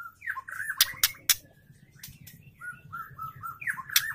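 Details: Female Oriental magpie-robin calling to a male, played to provoke males into singing; quick run of warbled, wavering whistled notes mixed with crisp dry clicks, busy and fast.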